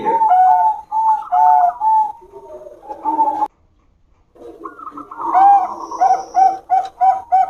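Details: Zebra doves of a champion Bangkok line duelling in song, henging style. Paired cooing notes, then a short silence, then another burst of quick, clear coos with overlapping voices.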